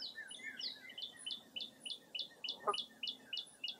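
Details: Early April birdsong in fog at Mirror Lake State Park, Wisconsin, a steady trill of high chirped notes, roughly three per second, with one short harsh call partway through.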